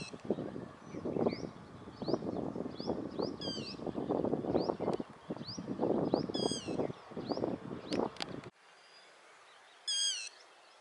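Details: Yellow-wattled lapwing calling while running: sharp, short, high chirping notes repeated about every second, with a few louder clipped harmonic calls, over heavy low rumbling and rustling that stops abruptly near the end.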